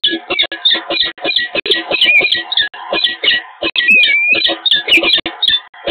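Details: A peregrine falcon pair at its Eindhoven nest site on the Evoluon, 7 March 2022, greeting each other: a dense, nonstop run of grating calls with a short rising-falling whine near the middle.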